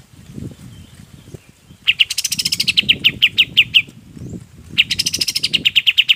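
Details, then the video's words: Golden-bellied gerygone singing for songbird training: two bursts of sharp, high descending whistle notes in quick succession, each opening with a bright buzzy rush, separated by a short pause with faint low background rumble. "SUARA KAPAS TEMBAK BUAT MASTERAN BURUNG LAIN PUN IKUT"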